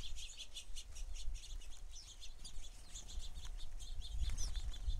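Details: A flock of house sparrows at a feeder gives short chirps in a rapid, even series, about five a second at first, then looser chatter from several birds.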